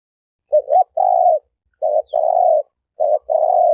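A turtle dove coos low and soft: a short, clipped note followed by a longer purring coo, the pair repeated roughly every second and a quarter.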